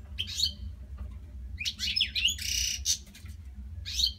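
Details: Several captive European goldfinches sing non-stop at night. Tinkling chirps and twitters mix with a short, harsh, buzzy burst mid-clip, all over a steady low hum.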